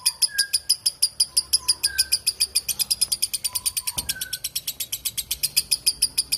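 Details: Lovebird pouring out a fast, high-pitched ngekek chatter for over six seconds, the harsh notes quickening midway, with scattered gentle whistles from another bird below.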